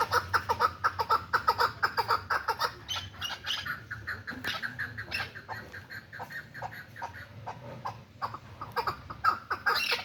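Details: Hybrid chukar partridge kept as a hand-tame bird: fast, regular chuck notes for a few seconds, then looser, scattered clucks and a brief squawky burst near the end.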